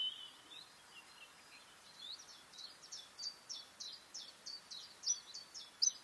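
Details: Song of a bluethroat, somewhat distant: a soft opening twitter, then a string of short high notes repeated roughly every third of a second, growing louder toward the end, over constant background hiss.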